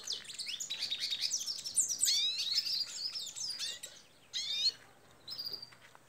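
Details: Second captive ancestral-line tarim canary in an aviary, its song almost fully formed: rapid varied trills and sweeping whistled notes, then short separated phrases with pauses.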